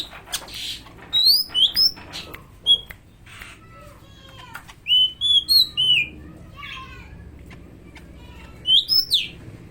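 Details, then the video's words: Greater green leafbird, from Medan, singing in imitation of an oriental magpie-robin: loud, clear whistled notes and slurred rising and falling phrases, some quick buzzy chatters, delivered in short bursts with brief pauses; faint low hum in the background. "Cucak Ijo Medan Suara Kacer"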